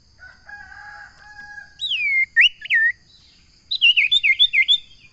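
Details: Common iora, known locally as sirtu or cipo, giving clear whistled notes that loop and slur downward, then a quick run of six or seven bouncing whistled notes, after softer low humming tones at the start.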